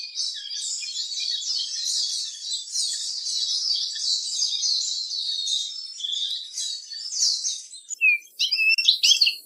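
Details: Eurasian siskin (Spinus spinus) song: a fast, continuous, high-pitched twittering chatter lasting about eight seconds, ending in a few separate sharp chirps, with no music added.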